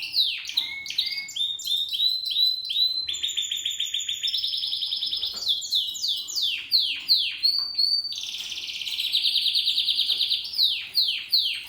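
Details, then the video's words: A 7-month-old male Spanish Timbrado canary sings in the timbrado discontinuo style. The varied phrases mix short downslurred notes, chopped bell-like series, rapid rolls and a bright sustained trill, all clear and close. "Spanish Timbrado Canary Twitter Timbrado_Canary,timbrado discontinuo"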